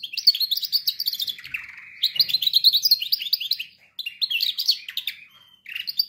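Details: Singing canary used as a training example for other canaries, pouring out dense twittering phrases with a short low rolling trill, broken by brief pauses between bursts of bright, rapid notes.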